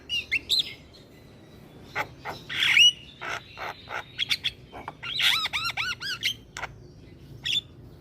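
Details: Gacor Javan myna, jalak kebo, singing to stir silent mynas into song: scattered clicks and rasps, a harsh noisy burst, then a rapid series of arched whistles sweeping up and down.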